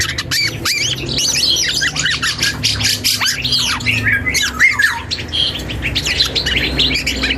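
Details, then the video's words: A young black-and-yellow oriole works through a practice song of harsh squawks, chattering notes and a few clear whistled slides, irregular and rambling, with a steady low hum behind. "KEPODANG HUTANG muda||belajar ngoceh"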